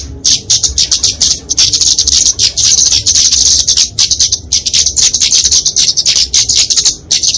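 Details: A Dicaeum flowerpecker singing competitively gives a fast, unbroken stream of very high, thin, sharp ticking notes in rapid bursts, with hardly a pause, used as a lure and tutor song for small birds.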